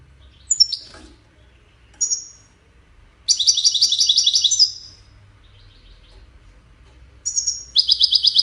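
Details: European goldfinch song in the widani style, played to teach chicks to sing: a few sharp high chirps, then bursts of fast rattling, buzzy twitters rising and falling, separated by short pauses.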